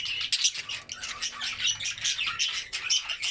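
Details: Albino red-eyed budgerigars, several birds, feeding on vegetables; dense overlapping chirps and squawky warbling notes run continuously, rapid and high-pitched, with a faint low hum underneath.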